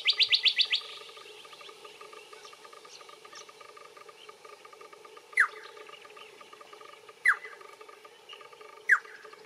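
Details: A little friarbird calling while feeding in a bottlebrush tree gives a quick burst of about six scratchy notes, then three sharp, slurred calls spaced roughly two seconds apart, over a steady background hum.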